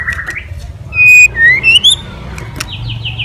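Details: White-rumped shama singing to provoke rival shamas: a brief buzzy note, then a loud steady whistle followed by two rising slurred whistles, and a closing series of short descending high notes over low hum.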